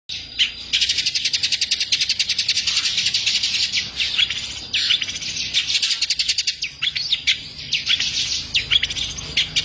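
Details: Long-tailed shrike singing energetically in full-spit style with a rich repertoire: a loud, dense run of rapid high chattering trills and scratchy notes, barely pausing, broken by short squeaky whistles near the end.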